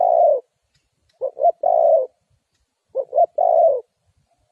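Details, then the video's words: Dove-trapping lure of a Spotted dove: the end of one long coo, then two phrases each made of a pair of short soft notes and an extended, gently falling croo, in clean silence. "The Cu Gáy Mồi Đất,Kèo thơm lụm Mồi sảy,นกเขาใหญ่สายต่อดิน,Sound Of Cuckoo Bird่,Suara Tekukur Pikat"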